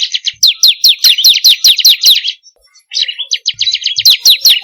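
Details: Bar-winged prinia song, used as a training lure for caged birds: dense runs of fast, high, slurred notes with twittering, a short pause, then another rapid chattering series.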